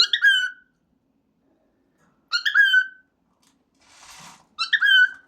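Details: Cockatiel named Billy, apparently stuck on "peek-a-boo", repeats a bright, harmonic call that starts high and slides down, about every two seconds; cockatiel.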